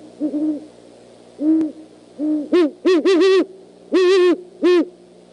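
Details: Great horned owls at the Decorah eagle nest, one sitting on the left nest rail at 11:20 PM, 25 January 2015, trading many sounds: low soft hoots first, then a rapid run of louder, harsher, buzzy, hooting calls in short bursts.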